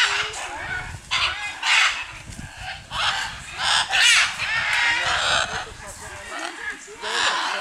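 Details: Several wild scarlet macaws (Ara macao) at a wildlife reserve in Punta Islita, Guanacaste, Costa Rica, descending from a Guanacaste tree, give harsh, raucous squawks in loud bursts, one roughly every second, overlapping; faint voices may be underneath.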